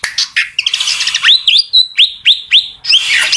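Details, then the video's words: Fantail singing a quick run of bright upward-sweeping whistles, several in a row roughly every third of a second, opened by a few scratchy chirps and ending in a buzzy rasp. "suara burung kipasan sumpah merdu banget"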